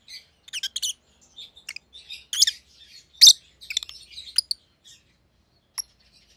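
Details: Indoor rosy-faced lovebirds of white-headed pallid and green opaline colour giving busy high twittering mixed with harsh chirps, louder bursts early on, then sparser single notes trailing off.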